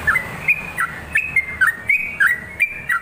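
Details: Sooty-headed bulbul in full song, used as a lure and tutor for other birds, repeating crisp two-part whistles that fall in pitch, close together and tireless.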